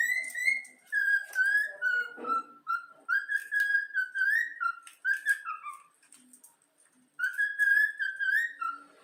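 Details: Yellow-cheek cockatiel, a pet taught the Flamengo anthem, whistles the melody as a run of pure, slightly wavering notes. A silent gap comes before the final held whistle, and faint low background sounds can be heard.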